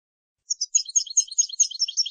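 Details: European goldfinch singing on an Andalusian tutoring recording made for teaching young birds: quick jingling twitter of sharp, high notes, about five per second, starting abruptly after a short silence.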